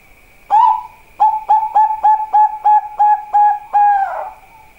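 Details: Zebra dove of the Bangkok type (perkutut bangkok) singing: an opening coo, then a quick run of about seven short, clipped, low coos at even pitch, ending in a longer drawn note; a steady high electrical whine throughout.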